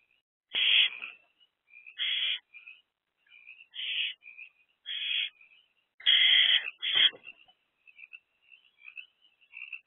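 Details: Three owlets in a nest box, 13 April 2024, between 1:05 am and midday: harsh hissing screeches of about half a second, repeated irregularly every second or so, with softer short chirps and wheezes between them.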